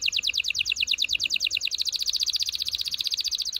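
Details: Canary trilling steadily to prepare females and males for mating, an unbroken rapid series of bright repeated notes at an even pace, with faint background hiss.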